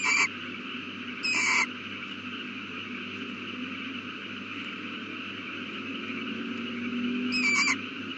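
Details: Nesting owl calling at 8:32 pm on April 18, 2019, just after a chick hatched. Three brief harsh rasping bursts at the start, after one second and near the end, separated by long stretches of steady hum.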